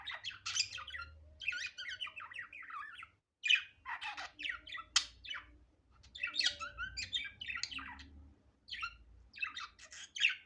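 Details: Budgerigar kept as a pet, recorded naturally without editing, warbling in dense clusters of scratchy, squeaky chirps and buzzy squawks, with a brief gap after three seconds and a soft low background hum.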